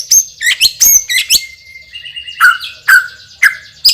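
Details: White-rumped shama, a champion bird with a loud, strong voice and rich fill-in repertoire, singing sharp, high whistled notes and slurred phrases, then a long steady whistle and repeated downslurred notes about every half second.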